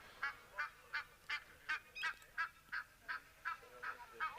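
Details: An Egyptian goose on a cool January morning after rain gives a steady run of about a dozen harsh, husky honks, nearly three per second, against a quiet background.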